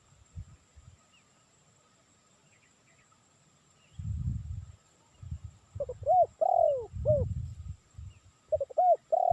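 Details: Spotted dove calling, suited for luring. After a quiet opening with some low thumps, a phrase of two short coos and a longer drawn coo is heard, with another phrase beginning at the end.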